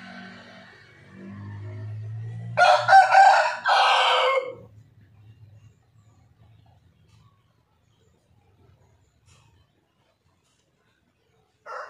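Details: White rooster with a loud crow in two bursts, a short harsh opening followed by a longer held part, preceded by a low droning noise and followed by a long quiet stretch.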